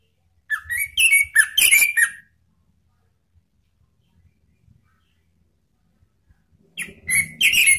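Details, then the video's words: Orange-headed thrush provoking song used to stir rivals into full singing: a burst of clear, varied whistled notes, near silence, then another dense whistled burst. "SUITAN ANIS MERAH MEMANCING LAWAN JADI NGEPLONG"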